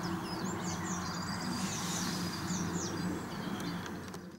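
Brambling calls: a quick scatter of short, high chirps and thin sweeps, over a steady low rumble of background noise.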